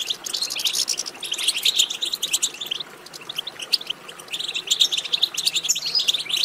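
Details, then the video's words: European goldfinch twitter for stimulating another goldfinch to sing: a rush of overlapping sharp chirps and trills, briefly quieter near the middle before building again. "بتبتة ماهرة في تحفيز الحسون على التغريد"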